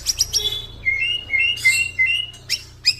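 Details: Crossbred F-series male white-rumped shama in song, mixing clear rising whistled slurs with sharp high chips and short buzzy notes, delivered quickly with brief gaps.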